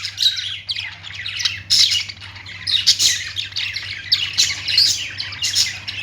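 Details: A flock of budgerigars warbling and squeaking, high scratchy chirps rising and falling in surges about every second, with a low humming background.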